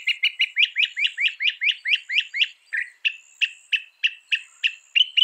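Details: Northern mockingbird, a bird able to copy about 200 sounds, sings a rapid run of repeated twisting chirps, then shifts to slower, evenly spaced sharp notes about three per second.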